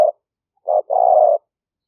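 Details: Spotted dove lure recording made live in rainy-season rice fields near Nong Khu Phai, Roi Et, Thailand, on a smartphone; a clipped note then a short coo and a longer, steady, slightly rolling coo, otherwise quiet.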